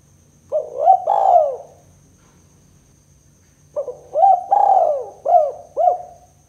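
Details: Spotted dove giving kuk 2 style coos as a lure for trapping: one short phrase, a pause of two seconds, then a fuller phrase of lead-in notes, a long falling coo and two brief arched coos.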